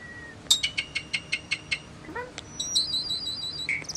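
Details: Common starling singing: a rapid series of evenly spaced dry clicks, then a short rising slurred note and thin high whistled trills.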